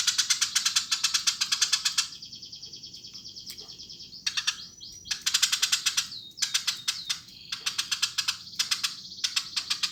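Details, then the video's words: Eurasian tree sparrow chattering busily: long bursts of rapid, sharp, high chirps packed into trains a second or two long, broken by brief pauses and a few thin whistled notes. "Burung gereja gacor"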